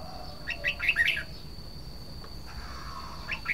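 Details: Red-whiskered bulbul (nok krong hua jook) sings one short, fairly faint phrase of lively twittering notes, followed by near quiet and a brief note at the end, with a constant high-pitched hum behind it.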